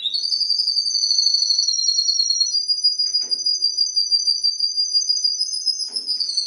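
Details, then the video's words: Canary singing, said to imitate the songs of ten birds: one unbroken, very high, rapid trill, steady in pitch and rising slightly toward the end, with two faint low knocks. "CANARY PARODIES 10 BIRDS SONG"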